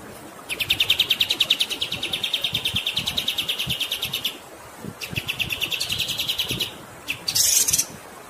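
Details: Masteran recording of a kapas tembak bird, singing long and continuously over flowing water: a fast, regular run of high sharp chirps, about three per second, broken by a short pause, then ending in a brief harsh buzzy burst.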